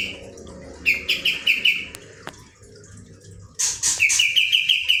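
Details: ['Kapas tembak delivering two short rolling bursts of rapid bright chirps separated by a quiet pause, the second burst introduced by loud high whistled notes.']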